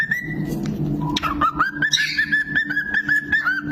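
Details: Pet cockatiel singing a run of clear whistled notes that repeat quickly on a steady pitch, with a low indoor hum underneath.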